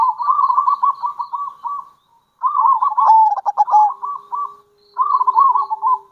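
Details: Zebra dove of local stock, a strong caller in kerot and bekur style played to attract others of its kind: three long rolling, stuttering coo phrases, each a fast series of mellow pulsed notes, with brief pauses between.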